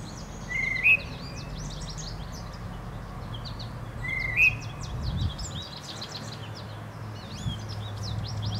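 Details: Spring whistles of a male tufted titmouse, a scrappy wild bird: two short notes roughly four seconds apart, each rising at the end. Plenty of thin chirping from other birds and a low background rumble surround them.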